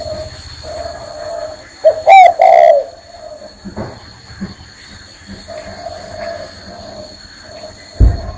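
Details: Spotted dove perched on a hand coos once loudly, a mellow rolling phrase, while fainter low coos sound before and after, with soft knocks and a thump near the end.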